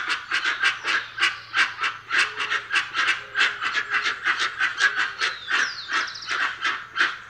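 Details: Dusky-legged guan with quick, raspy honks in an uneven rhythm and a descending whistle from another bird near the end.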